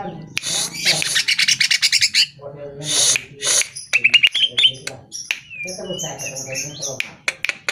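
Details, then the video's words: Greater green leafbird song, meant to get caged birds singing in reply: a fast chattering series of harsh notes, a pause, then clear whistled trills and twittering phrases mixed with scratchy chips. "Pancingan Suara Burung CUCAK IJO Dijamin NYAUT"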